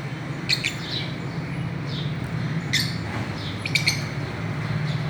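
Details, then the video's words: Fischer's lovebirds swinging and playing, with short clusters of high, squeaky chirps separated by pauses of about a second, set against a constant low droning hum. "Parrots playing and chirping"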